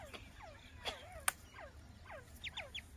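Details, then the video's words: Grey francolin chick gives thin, downward-sliding peeps about twice a second, with a few higher chirps, scattered clicks and a low background hum. "cute baby teeter voice"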